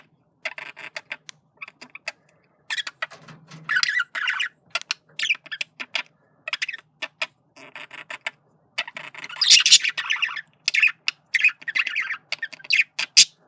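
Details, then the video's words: Flirting male budgerigar chatters steadily: rapid buzzy warbles, clicks and scratchy notes run on in uneven bursts, rising to a louder, shrill stretch in the second half. "Male Budgie/Parakeet Sounds Of Flirting"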